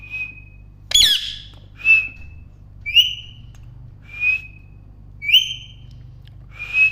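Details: Parrot chirping sound: a sharp slurred chirp, then a string of short high whistles, each slightly rising and falling, repeated about once a second.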